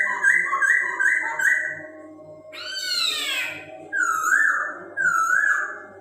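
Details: Chinese hwamei song, played to stimulate other birds' breeding urge: four quick repeated whistled notes, then a rich, rising, harmonic phrase and two sweeping whistled phrases, loud and clear against a quiet low hum.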